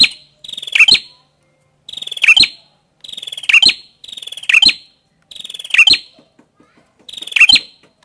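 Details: Prinia (prenjak kepala merah) song: rasping buzz leading into forceful, high, stuttered chirps, six phrases at irregular spacing, with faint soft ticking between them.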